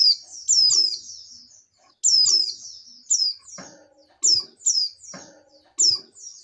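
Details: Oriental white-eye female, in breeding condition, calls to the male with shrill, down-slurred chirp clusters repeated every one to two seconds, plus low knocking and rustles.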